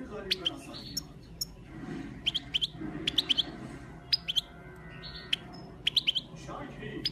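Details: A goldfinch in full song training sings in bright, tinkling twitters, with quick high chirps in scattered bursts every second or so over a low background hum.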